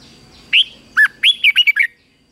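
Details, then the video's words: Morning training song of a red-whiskered bulbul in the fighting style: a single bright phrase of about seven clear, warbled whistles delivered in under a second and a half, with a low background murmur. "Luyện chào mào hót sáng | chào mào hót đấu"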